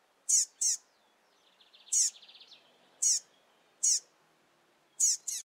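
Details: A rusty-collared seedeater chick fresh from the nest calls repeatedly near its father, giving loud high sliding chips in ones and pairs roughly every second, with a soft rapid buzzy trill between them.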